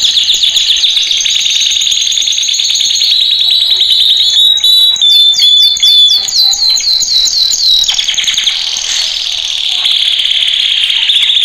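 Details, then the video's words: Male canary training song, played very loud: long rolling trills, then a series of clear whistled slurred notes repeated several per second, before the rapid buzzing trill returns. "Kanarya Eğitim Sesi Erkek / Kanarya Eğitim Ötüşü / Yüksek Kanarya Sesi"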